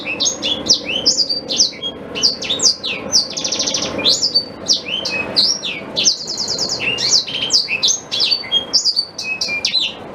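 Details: Long, varied black-throated canary song meant for teaching a white-rumped shama: dense sequences of high slurred whistles interspersed with fast buzzy trills, continuing with barely any pauses, over a faint steady hum.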